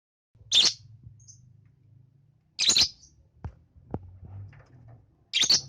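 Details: Young lovebird giving sharp, loud, harsh chirps, three separate bursts spaced about two to three seconds apart, with soft clicks and a low hum between them.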